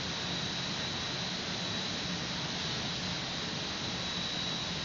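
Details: Constant loud hiss like wind or machinery at a San Francisco nest site, unbroken over the whole stretch with no animal voices.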